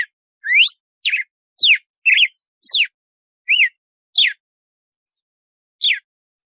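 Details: Red-cowled cardinal singing in the "açoite" style, called "canto de compasso": eight clear, separate whistled notes, mostly steep rising or falling sweeps, some with quick twists, spaced about half a second apart, with a longer pause before the last; no background sound.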